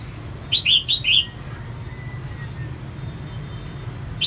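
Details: Singing female red-whiskered bulbul used to stir males: a single phrase of four quick, clear slurred whistles, followed by quiet hum and a brief new note at the very end.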